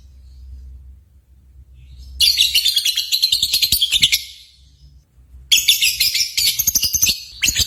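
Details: Lovebirds in a contest setting: two loud bursts of harsh, high, rapid chattering, separated by a quieter gap with a low background hum.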